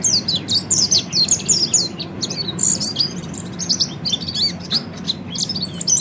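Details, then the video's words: Continuous high twittering from an Oriental white-eye, the peleci ngeriwik song meant for training birds: quick squeaky notes and short whistles tumbling without a break, low hum underneath. "kicau burung peleci ngeriwik"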